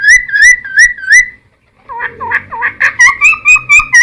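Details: Cucak timor singing as a lure for wild-caught birds: a few rising whistled notes, a brief pause, then a varied jumble of warbled and chattering notes that settles back into repeated bright whistles.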